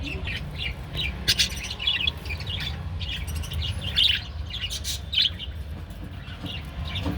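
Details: Family of Japanese budgerigars chattering continuously: busy warbled chirps and squeaks, several short harsh bursts standing out, steady low hum underneath throughout.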